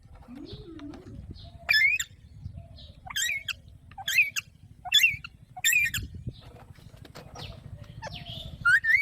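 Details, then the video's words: Alexandrine parakeet calling in a series of harsh, grating squawks about once a second over a low rumbling background hum. "Alexandra Parrot Natural Sounds"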